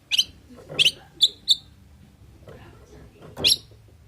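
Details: Sparse, sharp high notes from an oriental magpie-robin singing 'isian' song to provoke replies. A quick double note, a brief slurred pair and one last harsh note come after a quiet gap, over faint low background noise.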